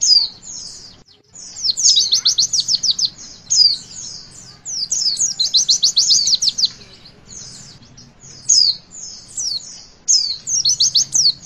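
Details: Javan white-eye pouring out high witwit song to get young birds singing: repeated bursts of fast staccato notes at about three per second alternate with looser whistled phrases across the whole stretch. Soft low hum throughout.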